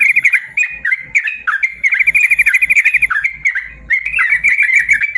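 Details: Yellow-vented bulbul singing a long rapid 'ropel panjang' song, used to train caged birds that are lazy to sing: loud bright chatter with a sustained fast trill in the middle and a hiss of high noise.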